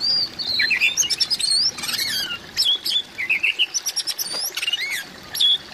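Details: Oriental magpie-robin call, used to prompt silent captive magpie-robins to sing: a rich run of varied, clear whistles, slurred notes and quick chirps, high-pitched and tumbling in short bursts.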